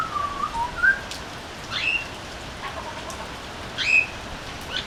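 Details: Butcherbird on a veranda with short, bright whistled notes, a low pair then a higher one, spaced by gaps of quiet hiss that sounds like light rain.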